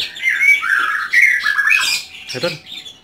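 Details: Caged, house-kept white-rumped shama singing a varied run of clear whistled phrases that jump between mid and high pitches, with short bright slurs and a harsher burst near the end; indoor setting.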